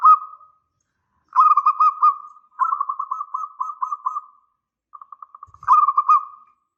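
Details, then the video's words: Singing local zebra dove, a lure to draw a reply: purring, rolling coo phrases separated by short silences, with a quieter series of soft evenly spaced pulses just before the last phrase. "Perkutut lokal GACOR suara besar"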